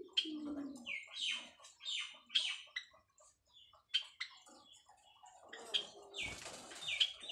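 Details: White Java sparrows breeding in captivity, calling while busy building their nest: a run of sharp, bright chirped notes about every half second, then a denser burst of squeaky calls near the end, with a brief low coo at the start.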